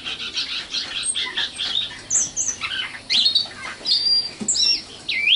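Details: Common nightingale (sikatan londo) singing a dense jumble of short chirps, squawky notes and high squeaks, with quick pitch jumps and rising slurs.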